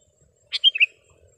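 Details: Sooty-headed bulbul song, offered as a master song for training caged birds and luring wild ones in gardens. A single brief, clear, bright phrase of three or four quick liquid whistled notes, with quiet background.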